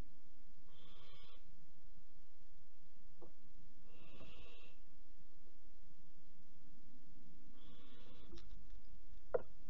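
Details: Barn owl fledgling at Alphen on 15 July 2019 at 23:55, at night: three faint, hoarse, hissing bursts about a second long, spaced roughly three seconds apart, over a steady low hum.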